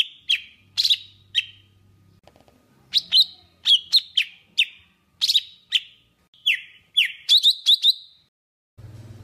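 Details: Golden-fronted leafbird of Vietnam singing a trapping lure song: steady series of sharp falling notes, some doubled, a brief gap near two seconds, and a faint low hum at the start and end.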